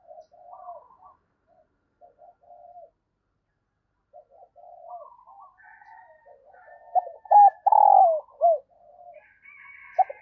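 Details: Soft, low cooing from a female dove calling to stimulate males, building into a loud burst of short coos and a long falling coo near the end, with faint thin chirps above.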